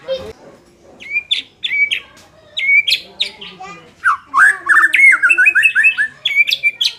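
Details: White-rumped shama song used to make a less combative bird more competitive: spaced sharp clicking whistles early, building into a continuous rapid warbling run.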